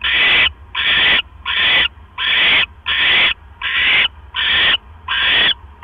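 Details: At a barn owl nest after midnight, 12 October 2015, the male brings in another mouse; nine rasping hissed screeches follow one another in a regular, rapid series, each under a second long.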